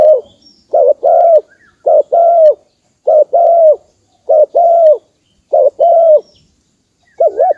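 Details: Spotted dove cooing, as used to rouse decoy birds for trapping: a steady run of paired notes, a short note then a longer mellow coo, repeated about every second and a quarter, ending on a wavy note.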